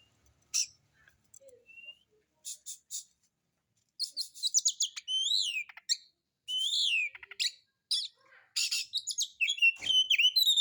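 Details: Oriental magpie-robin giving a relaxed lure song of rough-style material to provoke other birds: sparse scattered chips and soft notes at first, then a dense stream of loud whistled sweeps and harsh buzzy bursts.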